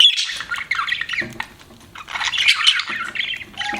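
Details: Budgerigars kept as pets, chirping in a rough, scratchy warble with squeaky notes, easing off briefly in the middle, then a short steady whistle-like tone near the end.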